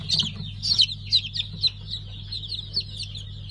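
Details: Just-hatched five-colour pheasant chicks on 3 August 2019 give high, piercing peeps, loudest in the opening second, then softer and sparser, over a steady low hum.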